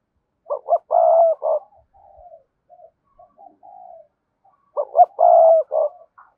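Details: Spotted dove, cườm sa variety, repeating its thúc gù coo twice about four seconds apart; each phrase has two brief notes, a long held coo and a short tail, with quiet murmuring between.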